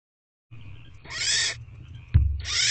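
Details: Barn owl owlet in a nest box at 9:17 pm on 26 April 2023, demanding food from its mother: two long, harsh, rasping hisses, the first about half a second, with a faint low rumble beneath.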